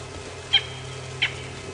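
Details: A francolin gives two short, harsh, grating notes about 0.7 seconds apart over a steady low engine hum, during an afternoon safari drive at Djuma Game Reserve, South Africa, on 1 June 2015, with a slight chill in the air.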